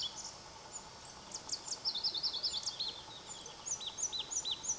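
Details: Singing Pallas's leaf warbler (Phylloscopus proregulus) near Erdenebulgan, Khovsgol Aimag, Mongolia, July 2009, one of two birds: very high sharp notes, a quick jumbled twittering burst, then evenly spaced arched whistles, with background hiss.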